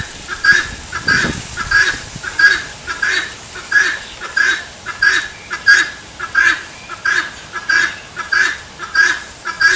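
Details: Steady series of rasping, two-note 'tô fraco' calls from a helmeted guineafowl, evenly paced at about one and a half per second, with a brief low noise at the start.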